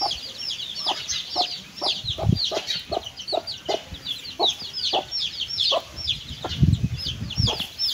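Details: Hen with her chicks while eating: short, low clucks repeated about every half second beneath a busy layer of high chick peeps, with occasional dull thumps.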